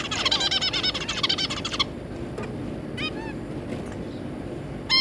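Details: Family of zebra finches, two adults and three juveniles, 3 July 2022. Quick buzzy chatter runs for nearly two seconds, followed by isolated, clear, arched nasal beeps, the last one loud, over background hum.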